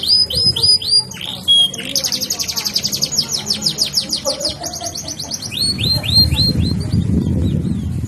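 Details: Canary singing: a handful of looping whistles, then a rapid rolling trill of high descending notes, ending in separate swept whistles over low rumbling noise.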